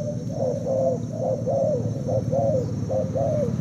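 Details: Caged spotted dove of Thai origin, two days in the cage, cooing against a decoy; clear low coos with slight downward bends, roughly one per second, over a low background hum.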